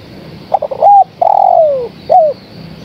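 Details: Female spotted dove calling to the male. A single phrase: a few rapid stuttering notes, then a clear arched coo, a drawn-out coo gliding steadily downward, and a short bent closing coo. The background is faint.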